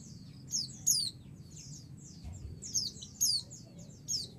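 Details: Female white-eye calling the male to provoke an excited answer; thin, very high chirps run throughout, with louder sharp down-slurred notes near the start and three more toward the end, over a steady low hum.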